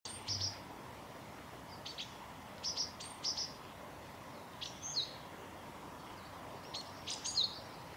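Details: Japanese tit calling in a park in Japan on 20 February 2022: short, sharp, high clipped notes in scattered clusters of two or three, separated by pauses, over a steady background hiss.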